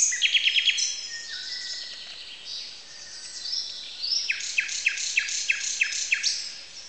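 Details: Common nightingale dominating a dawn chorus of about 30 species at a farmstead, 1 May 2010, around 05:00. Quick burst of high repeated notes, varied whistled phrases, then a run of sharp down-slurred notes, with faint hiss.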